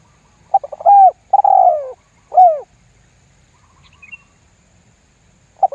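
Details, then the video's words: Lure call of a spotted dove, 'lambung guk' style, used to provoke wild doves into calling: a short clipped note, a longer falling coo, then a hooked final coo, with a soft chirp and a new phrase starting. "SUARA PIKAT TERKUKUR LAMBUNG GUK MEMBUAT TEKUKUR LAIN IKUTAN GACOR"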